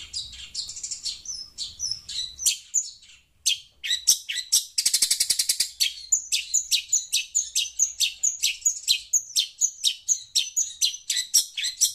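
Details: Long-tailed Shrike calling excitedly to phone sound, a fast run of sharp high scratchy notes, about two per second, broken by a buzzy rattling trill lasting about a second near the middle.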